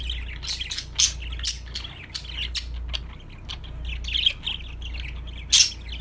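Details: Budgerigar chirping sounds: quick, thin scratchy notes in loose clusters, with a louder sharp chirp near the end, over a steady low hum.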